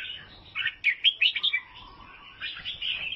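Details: Albino sooty-headed bulbul from Vietnam singing: bright, chattering chirps tumble together in a quick burst near the middle, between softer warbled notes and a low held whistle.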